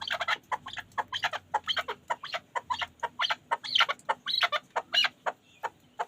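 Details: Pamir chukar partridge kept for hunting, calling in a long, steady series of sharp chuk notes interspersed with louder harsh cackles, lasting about six seconds without pause.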